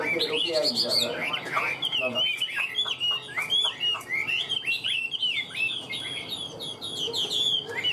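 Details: Prized caged Hwamei from Vietnam sings a lively stream of sharp whistles, twittering trills and slurred notes after a few seconds of a person speaking at the start.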